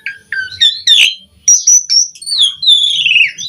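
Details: Asian pied starling song used as master audio for training birds: varied whistled notes, slurred falling phrases and a long descending whistle, with bursts of harsh noise between.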